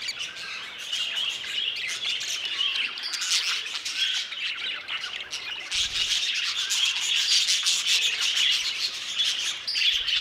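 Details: Budgerigars kept in an old aviary, many birds calling at once: a dense, continuous wash of chirping, warbling chatter and squawks, with busier bursts around the middle and end, no pauses and no other clear sounds.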